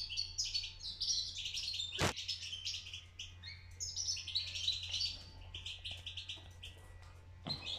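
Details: Young European goldfinch chick just beginning to sing: a continuous, rambling high twitter of rapid chirps and short warbled phrases, uneven in rhythm, with one sharp click midway and a steady low electrical hum beneath.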